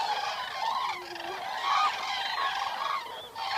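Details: Common cranes heard in the wild through the night: loud, drawn-out bugling calls, some sliding notes and a lower brief croak among overlapping voices, calling steady and fairly close.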